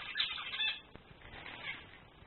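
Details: Singing male zebra finch giving loud, nasal, buzzy notes in two short bursts, the first and strongest lasting under a second, then a fainter phrase trailing off.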